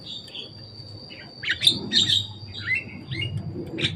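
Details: Javan myna playing on top of a cage: loud, scratchy squeaks and grating chirps in clustered bursts, with a steady high tone and a low rumble underneath.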